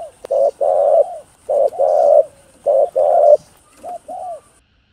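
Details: Cooing spotted dove, locally cu gáy or cu đất, voice meant to rouse other doves. Rounded low coos in pairs, a brief note then a longer drawn one, three pairs, then two softer closing notes; faint high whine and a click at the start.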